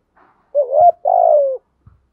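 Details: Caged decoy spotted dove giving a low, mellow two-part coo, a brief rising note then a longer level croon, to draw in wild doves in the rainy, stormy season; soft low thumps before and after.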